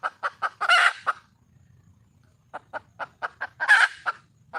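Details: A wild junglefowl hen calls for a mate with quick repeated clucks leading into a harsh, drawn-out squawk, a silent gap, then another run of clucks ending in a second rasping squawk.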